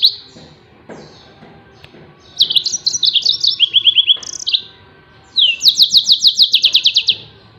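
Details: Song of a Yellow-fronted canary, recorded for teaching songbirds: a twittering phrase of high whistles and a descending trill, then a pause and a long, fast, evenly pulsed rising trill.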